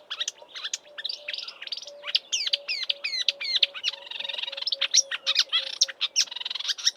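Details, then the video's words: In March, before its northward migration, a marsh warbler in Eastern Cape bush imitates local birds: fast sequence of downslurred chips, buzzy trills and mixed warbles, packed tightly together, over a soft repeated low tone. "Marsh Warbler mimicking Southern African birds in March before migrating north"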